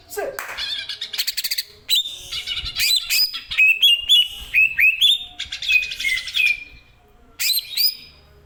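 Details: Greater green leafbird with a powerful song meant for tutoring caged birds: dense bursts of sharp chips mixed with fluid falling whistles and scratchy trills, in several phrases separated by brief pauses.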